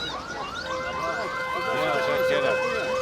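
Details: Overlapping wailing sirens with steady electronic tones, no animal voice heard.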